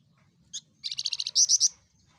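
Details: Javan fulvetta, a small insect-eating bird with a loud voice: a short high chip, then a fast run of buzzy, high-pitched notes, ending in three louder, ringing, slightly rising notes. The background is quiet.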